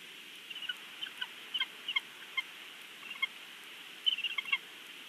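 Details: Bald eagle father at the Big Bear nest, caught by a live nest camera: scattered soft, high piping notes that quicken into a brief chittering burst toward the end, with steady hiss throughout.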